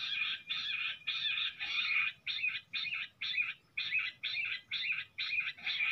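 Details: Jungle bush quail fighting calls, sounded near a set net: harsh, buzzy chattering bursts repeated about twice a second, each burst a rapid rattle that runs on steadily without pause.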